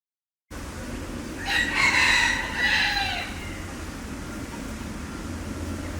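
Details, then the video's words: Green peafowl giving a loud, harsh, drawn-out call with a strong tonal band, lasting about two seconds and falling slightly at the end, over steady low background hum. "Green Peacock"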